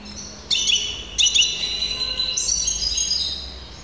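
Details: Hybrid canary of the tuffahi type, recorded in 2023, singing short bright high phrases: a trilled burst near half a second, another just after one second, then a longer sustained, slightly buzzy strophe from about two and a half seconds.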